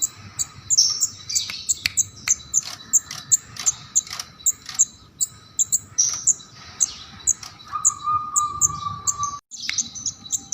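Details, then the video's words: Bar-winged prinia singing a lively 'keres' song, used as a tutor and lure for songbirds: sharp high chirps repeated about twice a second, with a steady mid-pitched hum and a long buzzy note near the end. "Kemade Keres Gacor"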